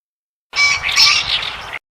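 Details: Green pheasant, Japan's national bird, calling across rice fields in the countryside. One harsh, raspy burst lasts a little over a second and is followed by silence.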